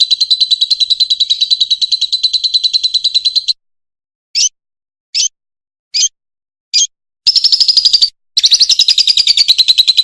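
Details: A Fischer's lovebird sings a song meant for teaching young birds: a high, buzzy rattle, one long trill, then four short bursts about a second apart, before breaking into harsher rapid chattering.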